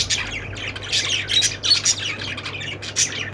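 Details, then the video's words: Budgie flock, named with lovebirds, giving quick high squawky chirps in clustered bursts with brief gaps, several birds calling over one another above a constant low hum. "budgies sounds"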